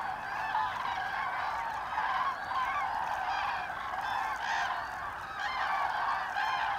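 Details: Common cranes passing on autumn migration in Hesse, Germany, 25 October 2021; numerous birds call at once, rolling trumpeted notes layered into an unbroken chorus with brief louder bursts around midway and late.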